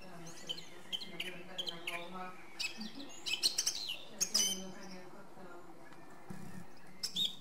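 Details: Song thrush singing: loud, varied phrases of sharp clicks and whistled notes, some given in quick bursts, with softer background birds and a low hum.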